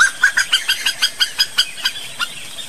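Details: Slaty-breasted wood rail calling: a fast series of about a dozen loud, harsh clucking notes at a steady pace, slowing slightly toward the end, over a constant high insect hiss.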